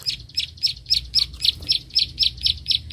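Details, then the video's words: Bar-winged prinia of rice fields clicking while sparring with a rival, delivering hard, high ticks spaced roughly a third of a second apart, evenly repeated throughout, with faint low rumble beneath. "prenjak klik gacor narung lawan"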